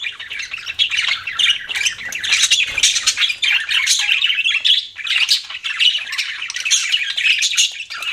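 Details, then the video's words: Pet budgies keep up a dense, unbroken chatter of raspy chirps, squawky notes and warbled squeaks, many short sounds piling on one another. "BUDGIES CHIRPING SOUND"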